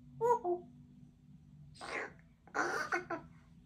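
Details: A pet female Congo African grey parrot chatters in short bursts at home: a couple of pitched whistly notes, then rough, speech-like squawks and mumbles, with a steady electrical hum behind.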